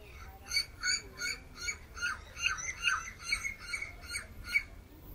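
A turquoise-fronted amazon gives about a dozen harsh, raspy squawks in quick succession, two to three per second, over a faint low background hum.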